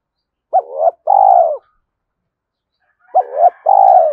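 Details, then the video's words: Rapid decoy cooing of a spotted dove for luring wild doves: two matching phrases about two and a half seconds apart, each a trembling short note followed by a smooth sustained falling coo. "Tiếng cu gáy thúc gù tốc độ/ cu gay kich boi nhanh noi gù"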